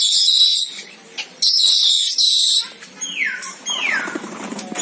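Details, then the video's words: Senegal parrot screeching in two long, harsh bursts, followed by two clear whistles sliding steeply downward. "SENEGAL PARROT SOUNDS - Suara Kicau Burung Beo Senegal"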